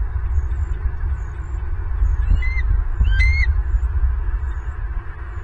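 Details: From a Southwest Florida bald eagle nest camera, 24 November 2022, 11:06: a pair of brief, piercing, high chirps about a second apart, set against heavy low rumbling background noise.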